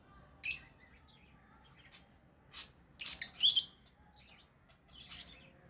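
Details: Chirping lovebirds: a loud shrill chirp, scattered soft twitters, then a tight cluster of harsh high chirps around the middle and a last fainter chirp.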